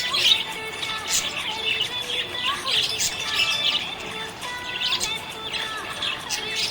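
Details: Happy budgerigar chirping: dense, continuous high warbling with quick twittering notes and short scratchy bursts, flowing without pause across the whole stretch.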